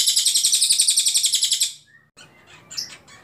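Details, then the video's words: Clear song of an Ashy Tailorbird used to tutor other songbirds. A fast, even string of shrill notes runs for more than a second and a half, then fades into faint chirps. "CILILIN GACOR PALING JERNIH TEMBAKAN PANJANG"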